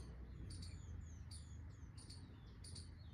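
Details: Bird chirping in a natural outdoor setting: short high chirps alternating with thin descending whistles, repeated in bursts about every half second to second, over a steady low rumble of background noise.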